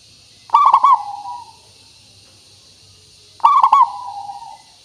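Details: Zebra dove cooing meant to coax caged doves into singing: two identical phrases about three seconds apart, each a quick stuttering trio of clear notes fading into a smooth, falling hum, with quiet background between.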